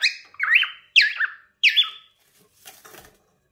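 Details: A cockatiel in a kitchen gives three bright, warbling whistled calls that swoop up and down, followed by a soft clatter.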